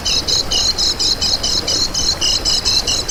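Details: Kecial kuning twitter meant for luring wild birds: a steady train of short, high, buzzy notes repeated several times a second, with lower chips woven between.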